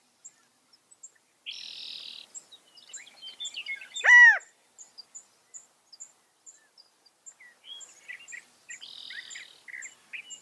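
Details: California quail calling once with a loud, arched note rich in overtones, set among buzzy hissing bursts, dense twittering and a steady series of faint high-pitched ticks from other birds.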